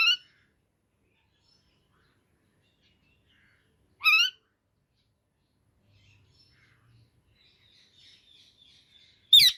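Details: An Indian ringneck parakeet calls sparsely: one clear screechy note in the middle, with partial harsh calls cut off at the start and end, and long near-silent gaps between them.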